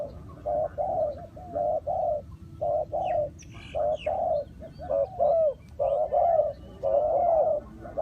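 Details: Spotted dove coos used as a decoy to call in wild doves during trapping; many low, hollow coo notes around 600-700 overlap in quick irregular series, suggesting several doves calling together, with faint higher chirps from other birds.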